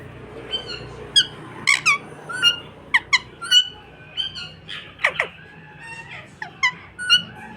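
A parrot gives a busy run of sharp, squeaky chirps and harmonic whistles, some sliding steeply down, a dozen or so in seven seconds, indoors.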